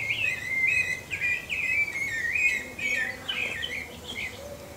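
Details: Pale-breasted thrush (Turdus leucomelas) singing a flowing string of short, slurred, warbled phrases at a steady middle pitch, delivered in quick succession, then breaking into higher, busier twittering notes toward the end, over faint background hiss.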